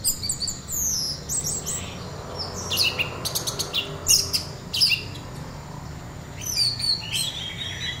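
Orange-headed thrush singing bursts of high, rapid whistles, chips and descending sweeps, with short pauses between phrases, over a faint low hum.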